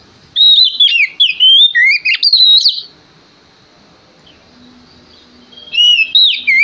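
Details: Lure song of a male Oriental magpie-robin, used to provoke rivals into singing: a rapid run of bright whistles and quick twisting notes for about two and a half seconds, a quiet pause, then the song starts again.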